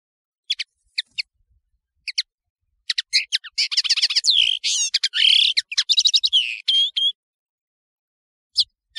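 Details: European serin tutor recording: spaced high double chips, then a dense, fizzing, rapid jingle of high squeaky notes ending in a thin whistle, with a couple of lone chips after a pause.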